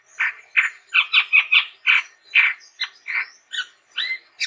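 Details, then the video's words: Lively gacor singing from a chestnut-rumped babbler: a run of rough, chattering notes roughly every third of a second, followed by thinner upslurred whistles and a clean rising whistle near the end. "SUARA BURUNG TEPUS TUNGGIR MERAH GACOR YANG UNIK"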